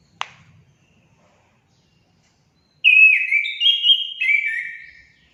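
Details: Orange-headed thrush singing, a recording for stimulating pet birds: a sharp click, a pause, then a phrase of bright slurred whistles stepping up and down, each note ending with a downward slide.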